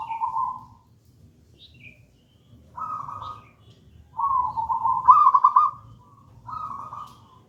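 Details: Local zebra dove, gedang rojo type, used to lure and teach other doves: soft opening coo, pause, then several trilled rolling phrases, the loudest strongly pulsed.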